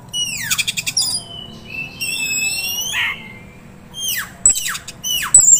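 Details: Oriental magpie-robin, a young contest prospect for sale, alternates sharp downslurred notes and rapid rattles with long high whistles, pausing briefly before a final burst of steeply falling calls.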